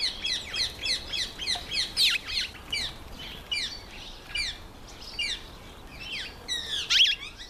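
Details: Female mountain chat, also called Bergwagter or Khaloti, giving a fast run of bright, varied chirps and whistled notes, some upslurred, in quick bursts over about seven seconds with no other clear sounds.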